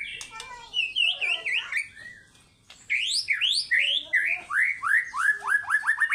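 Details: Fighter-style white-rumped shama song opening with tumbling warbles, then after a brief pause a loud series of steep rising whistled notes repeated rapidly, quickening toward the end.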